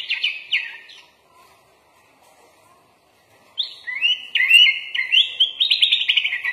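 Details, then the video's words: Sooty-headed bulbul (kutilang) in full 'isian' style, its song filled with learned phrases: quick bubbly whistled notes in short bursts, a pause of about two and a half seconds, then a livelier run of rising and falling slurred phrases. "MASTERAN BURUNG KUTILANG FULL ISIAN LENGKAP"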